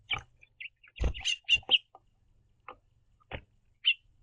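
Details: A house finch pair hopping on and off a backyard platform feeder give short high chirps and brief warbled notes in scattered bursts as they communicate, with several dull thumps and knocks.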